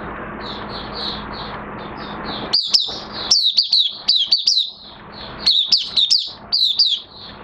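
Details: Oriental white-eye, minor moult, 3 June 2022: soft high twitter, then two energetic bursts of quick, sharply downslurred whistles, each burst about a second long, over low background hum.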